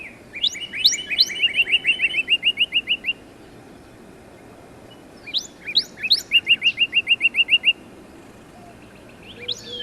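Northern Cardinal song: a few sharp downslurred whistles, then a quick even run of about a dozen chips, repeated twice, over a soft background hiss.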